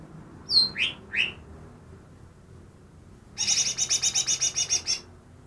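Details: Greater green leafbird, said to mimic ten other bird species, begins with three clear descending whistles. A long, fast rattle of about twelve scratchy high notes follows.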